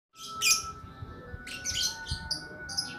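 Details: Lakbet bird in a long-duration recording, giving bursts of high, scratchy chirps and sharp buzzy notes in short phrases, over a steady thin whistling tone and low background rumble.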